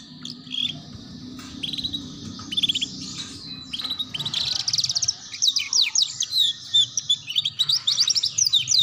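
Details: Young canary (kenari paud) training song for learning the ngeriwik sound: fast high twittering phrases with quick repeated chirps and trills, growing denser and louder toward the end.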